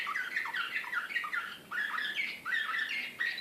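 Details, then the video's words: Serbian slavujar canary, Belgrade 2014, singing short bright trilled phrases of rapid repeated notes, each lasting under a second and separated by tiny breaks, clear over light background hiss. "CANARY SINGING SRPSKI SLAVUJAR"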